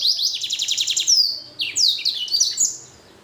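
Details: Blackthroat crossed with canary, singing a fast, even trill of high repeated notes. The trill gives way to varied swooping whistles and chattering phrases, loud and continuous.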